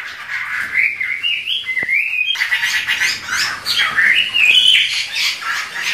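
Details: Two Chinese hwamei singing a duet in full voice. Rich whistled phrases swoop and bend, broken by harsher squawky notes and rapid chattering, roughly four notes a second, with no other sounds.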